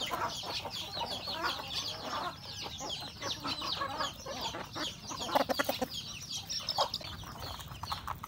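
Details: Rural domestic chickens, roosters and hens, eating breakfast; a busy mix of clucks and chirps from the flock, with sharper pecking clicks and louder bursts toward the end.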